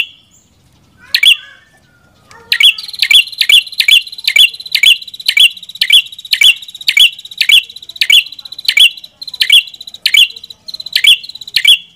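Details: Ashy tailorbird: a lone chirp after a quiet start, then a long rapid series of sharp high notes, each quickly repeated and evenly paced.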